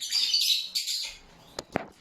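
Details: Cockatiels in a home aviary, opaline birds among them, giving a burst of harsh, high chirping squawks for about a second, followed by a shorter call and two sharp clicks against quiet background.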